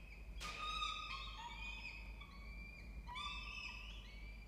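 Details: Peregrine falcon family with two nestlings, a female and a male around 29 to 30 days old, beginning to self-feed, at a water-tower nest box in Orange, New South Wales. Overlapping whining harmonic calls, several rising and falling notes in quick succession.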